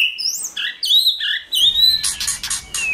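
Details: White-rumped shama song played to stimulate and train a shama to sing: sweet whistled phrases sliding up and down, high thin notes above, then a run of dry clicking bursts.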